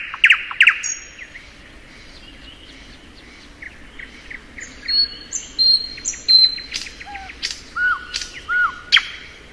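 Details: In spring, a thrush nightingale sings a few sharp notes, falls quiet, then delivers high pure whistles, a rattle of short notes and two low, downslurred whistles.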